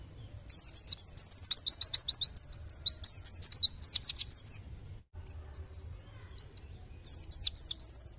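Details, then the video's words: White-eye song as a tutor recording for songbirds: continuous fast high twittering with slurred whistled notes, a brief break, then a series of evenly spaced rising chirps and renewed chatter. "Tembakan pleci! Masteran MEWAH"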